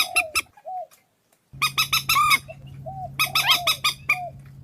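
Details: Vietnamese decoy compilation of purple swamphen: grating, squawking honk clusters mixed with softer, short whistled notes, while a steady electrical-sounding low hum runs through the second half.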